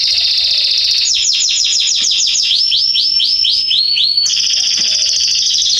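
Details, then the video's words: A canary sings in a garden in September 2020, moving from a buzzy trill to quick repeated downward sweeps, arching notes, then another long high trill. "Canaries singing in my garden"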